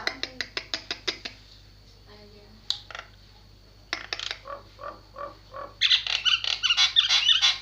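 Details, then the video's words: Javan myna song: a burst of sharp clicks, a quiet gap with a faint squeak, scattered lower piping notes, then a loud run of shrill, buzzy, jumbled notes. "Jalak penyu suara gilaaa bangettt"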